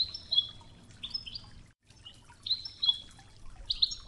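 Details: European goldfinch in Wedani style on a 'Toughza' training recording with river water: scattered high, sharp chirps and short twitters about every half second, a faint water hiss throughout.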